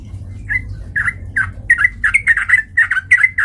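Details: Sooty-headed bulbul song played as a lure to provoke rival birds to fight: rapid bubbly chatter of short, slightly slurred notes, starting spaced and then tumbling quickly in pairs and triplets, with faint low rumble behind.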